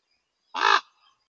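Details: Common raven, one of two wild birds standing at the day roost of a male eagle owl and harassing it during monitoring; a single loud, harsh, hoarse croak lasting about a quarter second against near silence.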